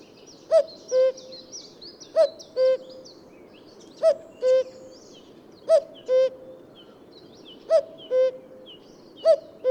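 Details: Common cuckoo calling in spring: a low two-note 'cu-coo', the second note slightly lower and longer, repeated about every 1.8 seconds, six pairs in all, with faint high chirps from other birds behind.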